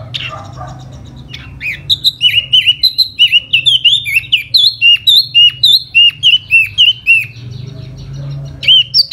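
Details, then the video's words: Laughingthrush singing in spring in the fanning display style (hót xoè): a fast run of clear, downslurred whistled notes, about three per second, sliding between high and mid pitch, with a faint low hum underneath. "Mùa xuân xem chú tiểu mi hót xoè rất hay"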